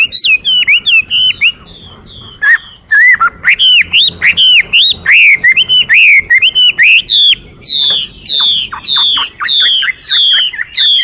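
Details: Long, rich song from a Chinese hwamei: rapid strings of ringing whistled notes, many sharply upslurred, followed by repeated drawn-out descending whistles.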